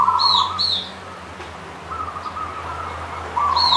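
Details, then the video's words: Local zebra dove of the Punden type from the Mount Slamet slopes, Banyumas, singing. Brief rolling trills of coos start and end the passage with softer coos between, mixed with high, squeaky double chirps from another bird. "Perkutut Punden Lereng Gunung Slamet Manggung"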